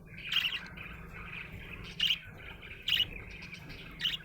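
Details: Contented budgie sending out four loud squeaky chirps roughly a second apart, with soft scratchy warbling filling the gaps and a faint low hum.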